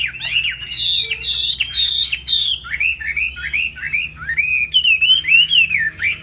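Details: Tail-flicking laughingthrush in high song: clear, strong whistles in looping rising and falling phrases, starting with several bright notes, then a chain of curving slurs repeated about twice a second.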